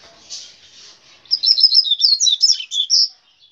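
Rusty-collared seedeater giving a fast, high, jumbled twittering phrase of sweet chips and slurred notes, lasting about two seconds, after a faint hiss.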